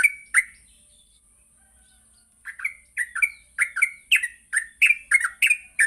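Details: Yellow-vented bulbul morning lure song for training birds to ngropel: two bubbly notes, a pause of about two seconds, then a fast run of chirpy slurred whistles that builds in pace, over a faint steady high hiss.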